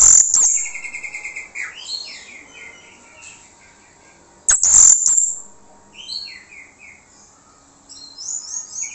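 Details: Orange-headed thrush lure song to make other birds respond: mostly soft, varied whistled phrases, broken by one loud, shrill burst in the middle, with faint repeated notes near the end.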